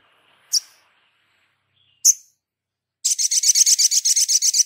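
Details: Sogon singing in a lively, chatty 'gacor' style, used as a tutor recording for other birds: two sharp, high single notes about a second and a half apart, then a fast, loud trill of rapidly repeated buzzy notes.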